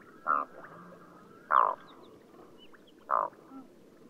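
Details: Black-throated loons (Gavia arctica) on a mountain lake in Altai in June 2014; three short, harsh croaking notes, about one and a half seconds apart, over a low rumble of wind or water.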